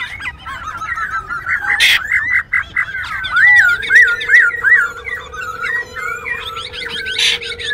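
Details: Black-throated Laughingthrush, a wild-caught cage bird kept in Binh Chanh, Ho Chi Minh City, singing as it dances. Its song is a fluent chain of bright, rolling whistles and quick warbles, with a constant low drone and occasional sharp bursts of noise.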